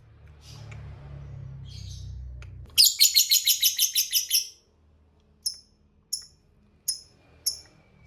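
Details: Lovebird in ngekek song: after a low hum, a sudden loud rattling trill of about ten rapid high pulses lasting nearly two seconds, followed by four separate sharp chirps spaced well apart.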